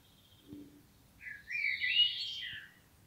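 A common blackbird gives a brief burst of high, squeaky, twittering notes lasting just over a second, with a soft thud and faint background hiss.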